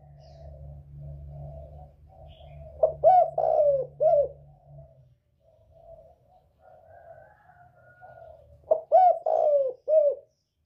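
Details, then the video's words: Northern spotted dove with the 'còi bổi' voice, used to provoke other birds: quiet background cooing and a low hum, then two loud stuttered coo phrases about six seconds apart ending in drawn, falling notes. "Chim cu gáy giọng còi bổi ghét kích chim rất hiệu quả, cu gáy miền bắc"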